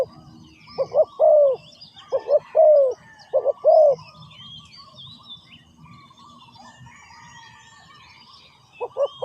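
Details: Spotted dove in ground decoy trapping gives three quick hoot-hoot-coooo phrases, then a pause filled with distant bird chirps and whistles, before cooing starts again at the end.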